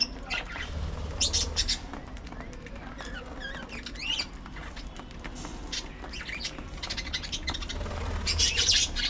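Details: A flock of budgies keeps up soft warbled chatter with wavering whistled notes and scattered sharp chirps, plus fluttering and low background noise throughout.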